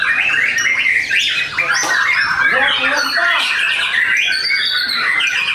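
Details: In a simulated song contest at a Tasikmalaya, Indonesia breeding farm, caged white-rumped shamas deliver hard kretekan song stuffed with imitations: steady high whistles, sharp upward sweeps and raspy bursts, one short dip near the middle.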